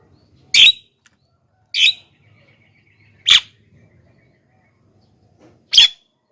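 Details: Lure recording of a Javan myna, meant to draw wild birds and set off other mynas: four harsh, grating bursts spaced about a second apart, each brief and noisy.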